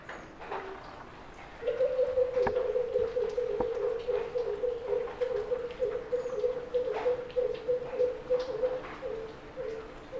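A Greater Coucal gives a long, steady run of deep, hollow hoots, about three each second, with a few faint clicks behind.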